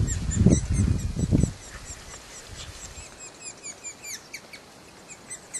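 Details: Red-naped sapsucker chick (Sphyrapicus nuchalis) keeps calling as it is fed at Premier Lake Provincial Park, British Columbia, filmed from a distance. A low rumble fills the first second and a half, then high, squeaky, repeated notes come in quick irregular series.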